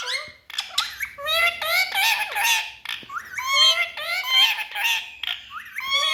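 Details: Parrots talking in a small room, giving a stream of squawky, speech-like syllables with bending harmonic tones in uneven bursts, broken by short silent gaps.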